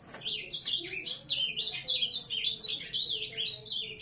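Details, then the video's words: Rapid, sweeping song of an ultramarine grosbeak, or azulão: loud whistled notes gliding steeply down and back up in a jagged chain, closely packed, with a faint low hum underneath. "azulão, tornado"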